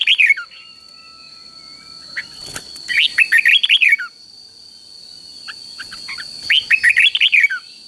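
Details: Caged red-whiskered bulbul with an easy three-syllable doubled song for young birds to copy: repeated rich warbling phrases of rapid up-and-down notes, a brief clatter between them, and a constant thin high tone in the background.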